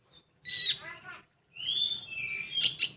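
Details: Common iora (konin) song with lively full 'tembakan' phrasing: a burst of bright chirps and descending notes, a pause, then a long rising whistle running into sharp high chips.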